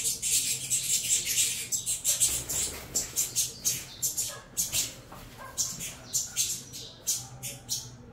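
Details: Hungry saffron finch chicks of a Venezuelan cross being fed in captivity; harsh high begging rasps come in uneven bursts, fading at times, with faint low background noise.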